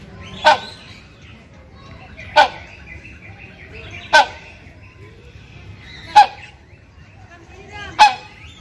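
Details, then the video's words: Male hornbill calling to a female in breeding season: five loud, harsh, explosive barks spaced about two seconds apart, each a short broad burst, over a faint steady background. "SUARA KERAS PANGGILAN BURUNG RANGKONG BIRAHI"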